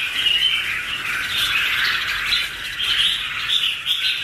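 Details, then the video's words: Two red-whiskered bulbuls duetting, recorded in 2016: dense, continuous warbled chatter of quick overlapping notes, steady throughout, with short bright whistled inflections rising above the mass. "Red-whiskered bulbul ~ two birds duet with good songs"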